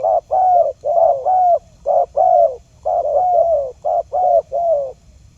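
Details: Spotted dove cooing as a bait call for catching wild doves: soft, low, hollow coos paired short-then-long, the longer note sliding downward, repeated roughly once a second.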